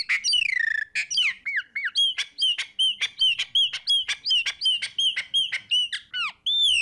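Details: Chopi blackbird, 'fumaça' type, pours out a rapid string of bright whistled notes and dry clicks, many phrases repeating a similar ringing note about twice a second, with a few deep downward slurs.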